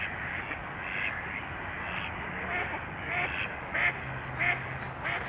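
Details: Mallard ducks swimming toward a hunting coyote, quacking loudly at it; short nasal quacks come in a loose series from about three seconds in, partly masked by steady broadband background noise.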